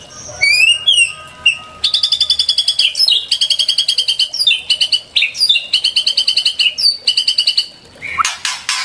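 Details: Loud white-rumped shama singing, used as training and lure song for songbirds: swooping whistles followed by long bursts of rapidly repeated, sharply pulsed notes, several phrases in a row separated by brief gaps.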